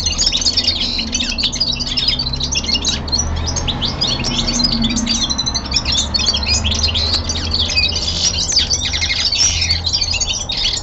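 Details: Caged young male linnet in winter descant song, delivering rapid chattering trills and bright chips that pour out without pause, interspersed with brief buzzy rattles; soft low room hum underneath.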